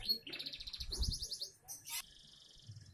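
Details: Young canary singing fast repeated rising chirps in quick trills, then a sharp high burst and a thin sustained warble; faint low background rumble.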